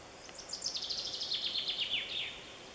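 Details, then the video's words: Romanian bird song up close: one loud, bright trill of quick repeated notes that starts very high and descends steadily for about one and a half seconds, then stops against a light hiss. "Birds song în Romania"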